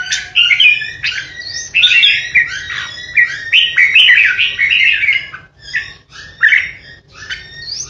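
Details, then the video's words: Decoy red-whiskered bulbul in a cage, kept for song contests, delivering the 'ché' song meant to impress rivals: a rapid, continuous jumble of bright chattering warbles, then separate shorter phrases toward the end. "Chào mào mồi hót ché đỉnh | Red-whiskered Bulbul | นกปรอดหัวโขน"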